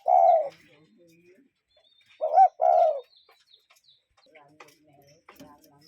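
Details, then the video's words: Cuckoo calling in nature: a short mellow hooting note, then a pause and a quick two-part hoot, with faint chirps from other birds in the background. "Relaxing Cuckoo Bird Sound in Nature"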